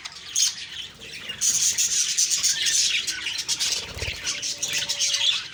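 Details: Morning budgie chatter recorded October 2, 2023, with many overlapping high, rasping chirps and short warbles forming a steady buzz, plus a soft low thump near the fourth second.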